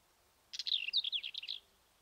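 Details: Black-eared wheatear (Oenanthe hispanica) near Ermita de la Virgen de la Sierra, Cabra, Andalusia, Spain: one scratchy, rapid warbled phrase of about a second, jumbled high chirps and twittering notes packed closely together, against quiet background.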